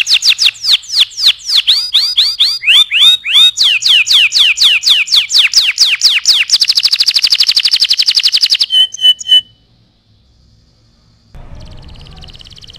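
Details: Canary tutor song for training birds: a varied run of sweeping, falling whistled notes, then a dense buzzy trill and a short stuttered phrase, followed by a pause and faint hiss.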